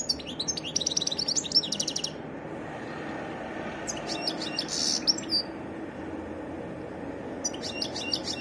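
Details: European goldfinch song in separate phrases: a rapid twittering run with buzzy elements, a pause, a short bright jangle with a nasal note, then a final fragment, over background hum.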